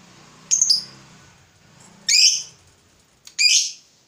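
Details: Fighter lovebird provoked by a rival, giving three separate harsh, buzzy shrieks spaced about a second and a half apart, with faint low hum in the background.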